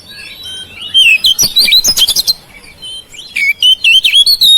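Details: Household oriental magpie-robin song intended to stimulate silent birds: soft warbling turning into loud, fast, jumbled whistles and chatters, then a second run of bright, repeated notes.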